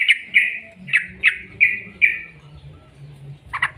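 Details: Sooty-headed bulbul, recorded as a lure to prompt other bulbuls to sing, giving about six evenly spaced slurred chirps, roughly one every third of a second, then a quick double note.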